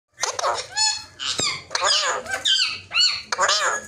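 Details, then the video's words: Rose-ringed parakeet, a ringneck, talking indoors: a steady stream of squeaky, nasal, speech-like phrases with shifting whistled tones, broken by short pauses about once a second. "Mithu Parrot Talking Face To Parrot Talking and Ringneck Videos"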